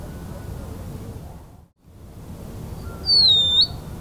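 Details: Band-winged nightjar singing: one high, thin, sharp whistle late in the clip that slurs downward, holds level, then flicks up at the end. A quiet dip to silence midway and low rumbling background noise throughout.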